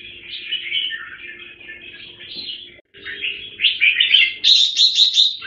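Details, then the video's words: Red-whiskered bulbul (jambul) given special bird food: smooth slurred warbling, a short break, then rising phrases ending in a quick series of five bright repeated notes, with a faint low hum. "Jambul - On Super Number 1 & Number 1"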